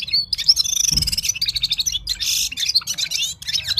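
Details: Gulsar, the Himalayan bulbul, from Parachinar in full song, with rapid high chattering notes, a short buzzy burst and pulsing chirp sequences packed closely together.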